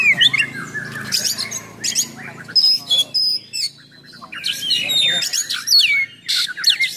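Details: Oriental magpie-robin song meant to stir up and train other magpie-robins, in a harsh-filled 'nembak' style: clusters of buzzy chatter and thin high whistled notes, broken by short pauses.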